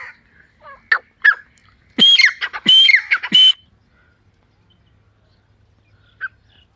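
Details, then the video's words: Partridge in a forest: a few scattered soft notes, then a short burst of loud, harsh ringing calls, then quiet with one faint final note. "جنگل میں تیتر کی بہت خوب صورت آواز"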